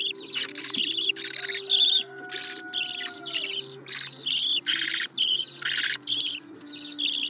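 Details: Baby budgerigar chicks calling for food: rapid series of raspy, broadband squawks in short bursts, roughly two per second, over a continuous low hum, with a faint long whistled tone in the background.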